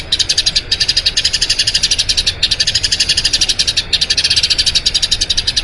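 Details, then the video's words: Long rolling song (ngerol panjang) of a Eurasian tree sparrow, recorded as training audio for other birds: rapid, continuous high chirping, broken by three short pauses. "Masteran Burung Gereja Ngerol Panjang"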